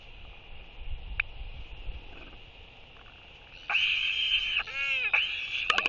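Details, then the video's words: Royal albatross greeting its arriving mate during a courtship display between a pair, 11.6.23: a loud, harsh, nasal braying skycall lasting about a second and a half after quiet wind and background noise. "Royal Albatross ~ Beautiful Courtship Interaction Between Two Albies! Skycalls & Displays"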